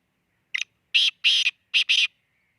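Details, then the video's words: Black francolin from Khushab giving a harsh, grating call: one short rasping note, then a longer double note, a brief pause and a final buzzy pair, all loud against a silent background. "kala teeter ki awaz"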